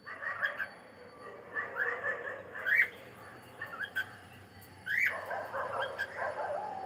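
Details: Singing cockatiel giving a run of soft warbled, chattering notes, broken by two brighter rising whistles partway through, then a longer burst of quick warbling, with light background noise throughout.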